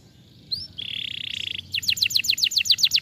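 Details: Canary song meant to restart a silent bird's singing: a short rising note, a long buzzy trill, then a quick series of bright clipped descending notes repeated several times per second.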